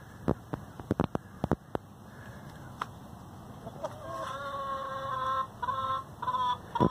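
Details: Free-range hen complaining, apparently over the laying nest, with a drawn-out harmonic wail building near the end after a few sharp knocks and clicks at the start.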